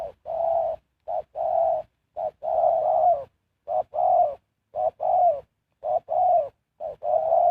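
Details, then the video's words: Decoy spotted dove calling to attract wild birds, giving a run of low, soft coos, each long hooting note led by a short clipped one, repeated roughly every second in a slightly uneven rhythm, eight phrases, background quiet. "Sound Of Spotted Dove is so good"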